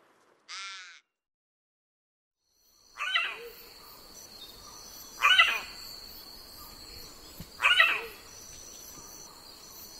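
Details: Raven from Australia, Oceania and Southeast Asia: one brief buzzy note, then three harsh, abrupt caws spaced two to three seconds apart over a steady high-pitched background drone.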